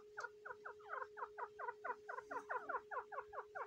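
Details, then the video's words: Grey francolin guarding eggs during the breeding season: a fast, steady run of sharp down-slurred chips, roughly five per second, over a constant low electrical hum. "Female teetar eggs protecting Teetar breeding season"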